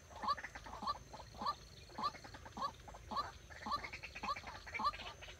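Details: Decoy White-breasted waterhen for trapping, producing evenly spaced, croaky, upslurred notes nearly twice a second over a low background hum.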